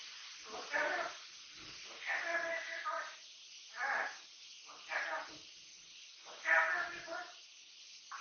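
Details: Three-year-old pet Amazon parrot, captive-bred, chattering indoors in a home: a run of short, harsh, speech-like babbling bursts, roughly five phrases spaced about a second apart, with quiet pauses between them.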